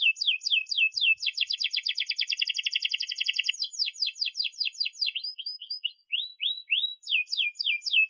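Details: Canary singing long phrases for young canaries to copy: quick chirps open into a dense, fast rolling trill, then shift to spaced, sharp descending whistled notes.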